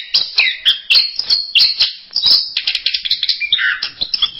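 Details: Dense, continuous high twittering and whistled phrases of anis merah masteran song, rapid chips crowding together with a few lower slurred notes near the end.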